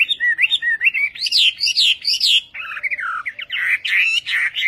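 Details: A western Chinese hwamei sings Vietnamese-style: rich, loud whistled phrases, three strong upslurred notes in a row, then warbling falling slurs and lively varied flourishes with barely a pause.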